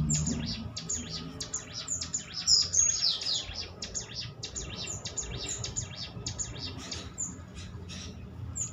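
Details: Prinia lure song to prompt others to answer: rapid, scratchy, high chirps in a busy continuous stream, a brighter whistled flourish near the start, faint low rumble beneath.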